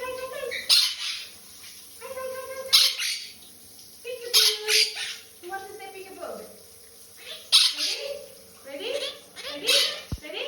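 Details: A pet monk (Quaker) parakeet at shower time gives harsh, squawky calls and chattering notes in irregular bursts.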